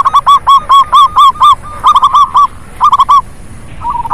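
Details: Lively lure recording of local zebra doves, used to stir doves that will not sing: bursts of loud, staccato cooing notes in quick groups of three to seven, separated by short gaps, fading to softer notes at the end.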